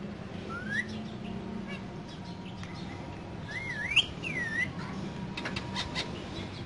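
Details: Two green parrots kept in a cage, vocalizing: a few rising whistled notes, a short upslurred whistle followed by a looping whistle that rises and falls, over a low steady background hum.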